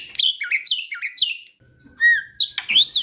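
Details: Asian pied starling youngster practising song, used as a lure: three quick chirpy phrases, a long steady whistle, then a loud rising squeal.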